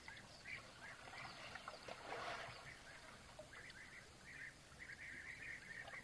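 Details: European bee-eaters calling at an African waterhole on 6 December 2024, as two bull elephants play in the water: short, rolling, liquid 'prruip' calls, several in quick succession in the second half, over a steady low rumble.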